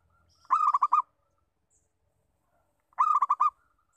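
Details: Zebra dove of a local type calling as a lure, two short rattling strings of five cooing notes about two and a half seconds apart in otherwise quiet surroundings.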